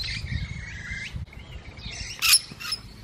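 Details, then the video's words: A musk lorikeet feeding gives a long, shrill, wavering screech, then softer notes and a loud harsh burst near the end, over low background rumble. "Musk Lorikeets Feeding"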